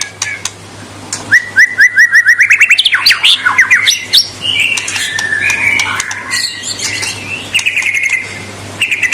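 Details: White-rumped shama in strong provocative song: a rapid repeated train of short identical chirps, then a tumbling run of whistles and harsher notes, closing with more quick chirps; low hum in background.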